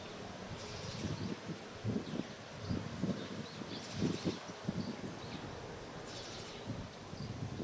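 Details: Japanese pygmy woodpecker excavating a new nest hole in a willow tree at Katsurazaka, Nishikyo Ward, Kyoto, Japan, 18 March 2021, with a second bird nearby; irregular dull knocking taps in short bursts, faint high bird chirps in the background.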